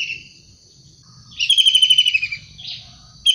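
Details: Energetic wild long-tailed shrike giving a dry, pulsed rattle that drifts downward for under a second, followed by a softer rasping note and the start of another rattle, over faint low hum.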